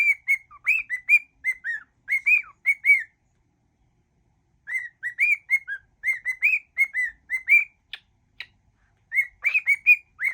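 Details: Cockatiel whistling a medley of songs including Father Abraham and If You're Happy and You Know It: phrases of quick clear whistled notes, a silent gap, then more phrases and a couple of sharp clicks.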